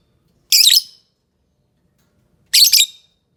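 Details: Lovebird giving two harsh, shrill screeches about two seconds apart, each a short rasping burst, with silence between.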